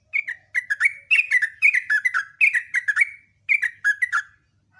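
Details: Sooty-headed bulbul giving continuous morning ropel song with nembak notes: fast, closely packed, warbling downslurs in near-unbroken phrases for over four seconds, loud and clear.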